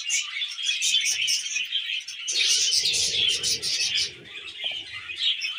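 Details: Several tame budgerigars eating wheat germ, giving dense, overlapping high chirps and warbled chatter without pause, with soft low thumps and rustling from about two to four seconds in.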